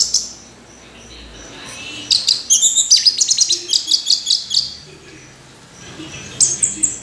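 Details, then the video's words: Orange-headed thrush delivering a fast series of sharp, high repeated notes in a long run, followed by a brief pause and another short burst. "Anis Merah Kicau Sampai Teler"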